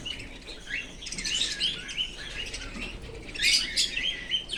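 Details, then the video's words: Australian cockatiel kept as a pet, playing with bangles, gives short chirping calls in irregular clusters, shrill and twisting, with a louder burst near the end over soft rattling background noise. "my Australian cocaktail ( kaju) play with my bangles"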